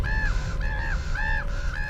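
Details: Common ravens give three harsh, arched croaks in a steady series over carrion in a forest, calling out a food find that draws wolves and bears.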